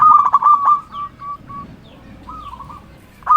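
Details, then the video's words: Zebra dove, local bird, calling rivals: a loud stuttered burst of coos, then a few separate soft notes and a faint later phrase, with quiet background. "Perkutut lokal gacor Ahlinya memanggil lawan bikin burung perkutut gacor nyaut"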